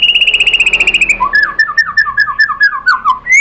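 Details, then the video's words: White-rumped shama (murai batu) song with imitated filler material, used as a lure for replies from other shamas; a rapid even trill lasting about a second, then a series of falling whistled notes ending on an upslur. "MURAI BATU lain jadi NYAUT ikut BUNYI GACOR BONGKAR MATERI ISIAN ¦ PANCINGAN MURAI SHAMA BIRD"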